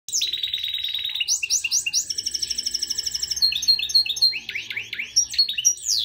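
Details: European goldfinch giving an exceptional song: a fast, varied stream of bright twittering, buzzy trills and sharp upslurred whistles that run on without pause for six seconds, with a faint low hum beneath.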